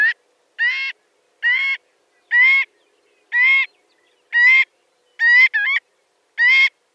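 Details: Marbled godwit (Limosa fedoa), a large shorebird, repeating loud, clear, harmonic nasal calls about once a second, eight in all, one given as a quick double note.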